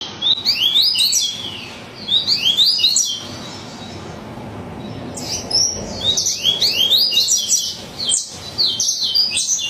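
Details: Yellow-bellied seedeater singing frantically: two bursts of high, fast twittering phrases with quick downslurred and rising notes, a pause with soft background noise, then a longer run of rapid sharp chirps and trills.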